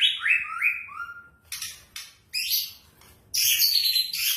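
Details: White-rumped shama song serving as a lure to prompt singing: three quick falling whistles, followed by short, harsh, scratchy bursts of high sound.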